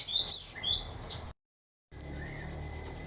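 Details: Orange-headed thrush singing in the frenzied style called mabuk: dense, very high warbled phrases with fast trills, broken by a short silent gap, then a long high thin phrase.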